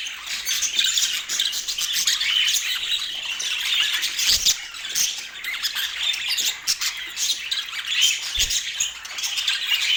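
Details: Budgerigars in Portland warbling and squawking together in a steady, crowded stream of high scratchy chirps, with a couple of soft thumps.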